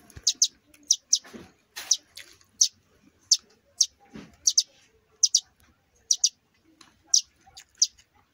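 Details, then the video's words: Two fallen sparrow nestlings call in a steady stream of thin, high, clipped chirps, often in quick doublets, about once or twice a second, with a couple of soft rustling thumps in between. "canto de gorrion"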